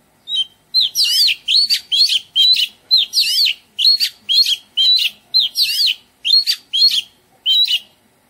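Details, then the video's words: An Oriental magpie-robin in a garden sings a rapid run of varied, clear, melodious whistled phrases, swooping up and down, about two per second with short gaps; no other sounds. "Oriental Magpie Robin - Melodious birdsong"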